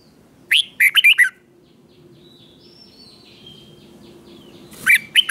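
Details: Doubled song of a red-whiskered bulbul intended for young birds to imitate: one quick warbled phrase of five bright notes, faint thin whistles during the pause, then a second phrase breaking in at the end.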